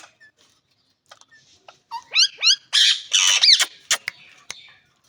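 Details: Green rose-ringed parakeet giving a pair of quick upswept whistled notes, then a burst of harsh, raspy screeches, with sharp clicks and taps around them.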